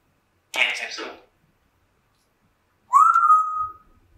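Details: Kept female African grey parrot at home in the morning: a brief raspy speech-like burst, then after a pause a clear, sustained whistle that rises slightly and holds steady for about a second.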